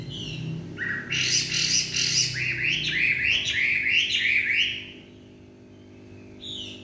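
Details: Chinese hwamei in evening song, a quick series of rising whistled notes repeated in a rapid rhythm over a low hum, then a pause and a fresh whistle.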